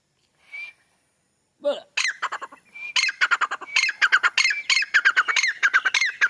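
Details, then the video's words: A grey francolin (white teetar) calls from a wall in Pakistan: a loud, harsh, ringing call of rapid repeated notes, about one per second, building in intensity after a few thin opening whistles. "White teetar voice"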